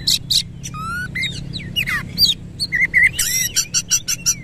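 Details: Kacer, or white-rumped shama, with tail open, singing harsh phrases; clear descending whistles, buzzy rattles and rapid repeated chipping notes, strongly varied, with a low background hum.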